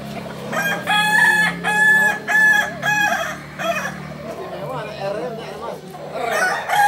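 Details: Rooster of the Kukuak Balenggek breed, endemic to Solok in West Sumatra, gives a multi-part crow. Four or five bright, evenly spaced syllables come about every 0.6 seconds, then lower wavering notes follow, with further crowing nearby.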